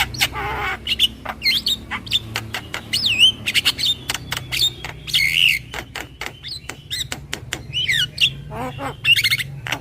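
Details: Lure call of a Javan myna, described as very whiny: continuous chatter of sharp clicks, twisting whistles and harsh squawks at an uneven rhythm.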